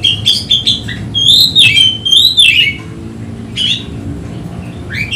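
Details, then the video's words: Oriental magpie-robin (kacer) from Indonesia, agitated and looking for a rival, sings loud whistled phrases with sharp clicks, then falls quiet before a final rising note, over a low background hum. "Kacer ngotot emosi mencari lawan"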